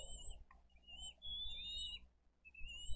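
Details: Bald eagles at their Dade County nest, 22 April 2023, bringing fish for two eaglets; high whistled calls, one long sustained wavering note in the middle, with background rumble.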